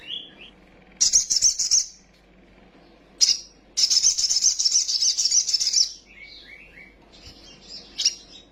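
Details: Little spiderhunter lure song for rousing young birds into full song: a short buzzy trill, a sharp chip, then a long rattling high trill of about two seconds, followed by softer twittering notes.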